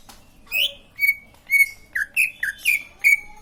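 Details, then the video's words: Green leafbird song: a string of clear, loud whistled notes, some sliding downward and others held steady, delivered in short bursts roughly every half second against a quiet background. "Burung cucak ijo lain pasti ikut bunyi"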